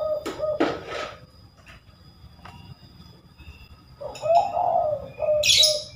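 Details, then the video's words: Spotted dove giving its three-note "kuk" call, described as a rare bird: low hollow coos, one near the start and a drawn-out pair after a pause, with scattered clicks and brief higher rustling noises. "Tekukur Kuk 3x, suara burung langka"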